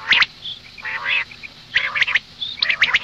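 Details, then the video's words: Morning call of a female common quail: a sharp, crackly burst, then a soft, drawn-out buzzy note, followed by more clipped, scratchy bursts and thin, high chirps. "Madi batair ki awaz suba ke liye مادی بٹیر کی آواز"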